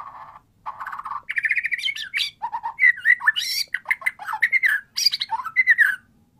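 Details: Energetic, nonstop song of a white-rumped shama (murai batu) used to coax a silent bird into singing: rich varied phrases of whistles, chatters and rapid trills jumping between low and high notes, with brief pauses.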